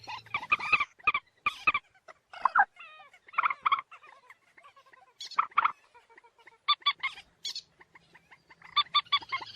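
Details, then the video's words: Moorhen giving bursts of short, harsh clucks and croaks, some in quick doubled or tripled groups, with a few thin rising notes between bursts and short pauses throughout. "ডুংখোর পাখির ডাক। Moorhen birds shound"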